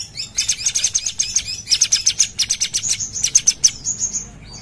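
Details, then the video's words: A Sumatran bulbul in full gacor song delivers a dense, continuous stream of rapid high chirps and stuttering notes, ending in a thin sustained whistle and a final short downslur. "Cucak cungkok gacor"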